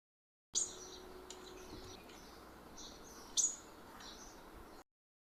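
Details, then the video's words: Purple-rumped sunbird in a home garden giving two sharp, very high chips about three seconds apart, with faint thin twitters between over a soft background hiss. "purple rumped sunbird"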